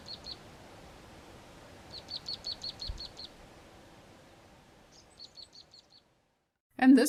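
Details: Karoo prinia calling from a bush in the southern Karoo, giving its typical piping call: quick runs of high, thin, evenly spaced piping notes, about eight in one burst, then a shorter series, ending with a loud knock.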